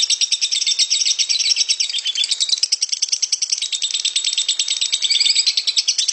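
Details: Ngekek song from a lovebird, harsh and drawn out: dense, high, scratchy chattering made of quick pulses that pour out without a pause, with small shifts in tone along the way.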